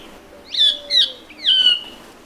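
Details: Band-tailed manakin, a Brazilian bird: three loud, sharp chirped notes, each slurring downward with bright harmonics, spaced about half a second apart over quiet background.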